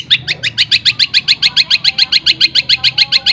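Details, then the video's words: Cendet, the long-tailed shrike, in a tightly packed tengkek buto imitation linked with greja and kunti notes: a fast, even chain of doubled buzzy chips, roughly three and a half per second, with no pauses. "CENDET ISIAN TENGKEK BUTO SPEED RAPAT SAMBUNG GREJA SAMBUNG KUNTI"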